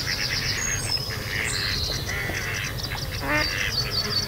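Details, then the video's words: Mallards roughly mating at Kirriemuir RSPB, with the mating male set upon by another male. The female gives harsh, nasal quacking, with high thin calls from other birds above it and low rumble beneath. "Mallards (Anas platyrhynchos) - roughly mating and female calling"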